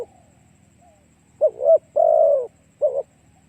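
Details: Spotted dove cooing used as a lure for other doves: after a near-silent opening, one low phrase of a broken double coo, a longer falling croon and a final short coo.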